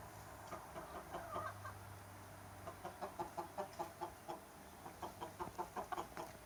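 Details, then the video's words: Chickens and roosters enjoying summer: a run of short, evenly spaced clucks repeated quickly, roughly twice per second in the latter half, with softer mixed calls earlier and a low hum underneath. "Chickens and roosters enjoying summer time - Real chicken sound effect"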